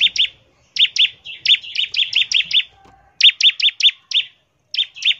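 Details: Fast 'ngebren' song of a bar-winged prinia, played to lure prinias into singing: dense runs of clipped high notes, each a downward flick, delivered in rapid volleys with brief silent gaps.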